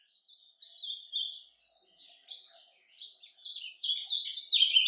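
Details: A captive ultramarine grosbeak sings its soft surdina warm-up song in broken phrases: brief warbled bursts separated by short pauses, building into a louder, busier tumble of slurred notes at the end.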